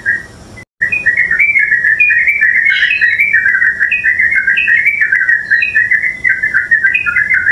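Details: Yellow-vented bulbul, called purak or luklak in Tagalog, Philippines: continuous cheerful bubbling chatter of quick liquid notes with occasional higher upslurred chirps, steady and loud above a constant hiss.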